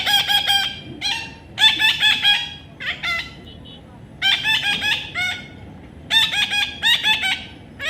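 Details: Baby parrot giving loud, harsh, nasal squawks in quick bursts of three or four, each burst about a second apart, over a steady low background hiss.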